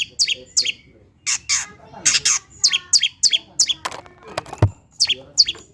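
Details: Lure song of a long-tailed shrike, meant to spur lazy birds to sing: busy chattering phrases of scratchy, varied high notes, crowded together, with a brief dull knock near the end.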